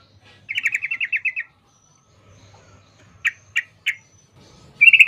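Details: Yellow-vented bulbul in long rattling "ropel" song, used as a lure to make other bulbuls sing back: one fast buzzy trill of about nine notes, then three short separate chirps and a final bright burst.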